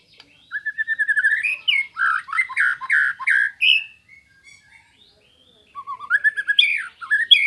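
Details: White-rumped shama, Indonesian master recording for training songbirds and provoking rivals: a long trill of rapid repeated notes climbing in pitch, dense rhythmic chatter, a pause, then resumed rising trilled phrases.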